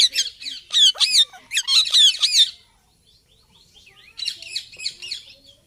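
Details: Pet Indian ringneck parrot gives loud, shrill, grating screeches in rapid strings for about two seconds. After a short pause it gives softer, scratchy chatter.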